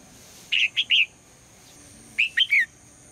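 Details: Female red-whiskered bulbul morning calls meant to get the male singing: two matching phrases of three mellow, slurred whistles, the final note falling, about one and a half seconds apart.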